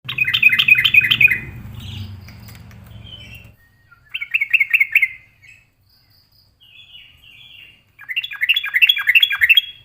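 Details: Yellow-vented bulbul singing in an agitated reply to a rival it seeks to fight: three bursts of rapid, bubbly, warbling notes about a second long with quiet gaps, a few thin high notes between, and a low hum early on.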